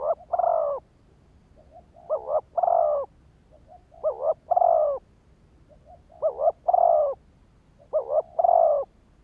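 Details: Repeated cooing of a decoy spotted dove meant to stir up wild birds: each phrase a stuttered double coo then a sustained rounded coo, five phrases at a fairly even pace.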